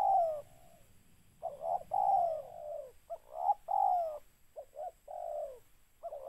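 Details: Spotted dove (tekukur) calling during a decoy bird-catching session: rough, hollow cooing notes run together in uneven bursts, short clipped coos mixed with longer drawn-out falling ones.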